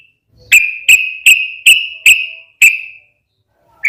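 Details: Sooty-headed bulbul in 'ropel' style lure: six sharp whistled notes with long ringing tails, evenly spaced roughly every 0.4 seconds.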